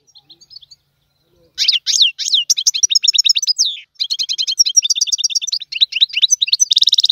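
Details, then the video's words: Goldfinch singing in the tiwawati style: after faint scattered notes, a fast twittering song of high, tinkling, buzzy notes in rapid repeated clusters, with a short pause midway. "تغريد الحسون طيواواطي"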